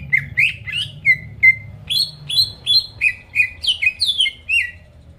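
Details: Greater green leafbird singing to incite rival birds: clear whistled notes, mostly downslurred, repeated roughly three times a second in an irregular, even-paced run.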